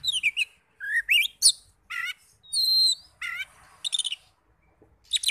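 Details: Lure song of an Oriental magpie-robin, meant to rouse other magpie-robins to answer: varied phrases of downslurred whistles, rising slurs, buzzy bursts and a sustained high double whistle, separated by short pauses.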